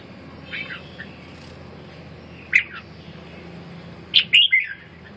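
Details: Bulbul recovering from respiratory illness gives a soft opening note, then a single sharp chirp and, near the end, a quick burst of three emphatic whistled notes, with quiet hum between.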